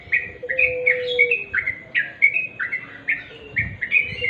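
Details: Bright, rapid chirping of a sooty-headed bulbul in its natural voice, clipped notes tumbling several per second, with a brief low whistled tone near the start.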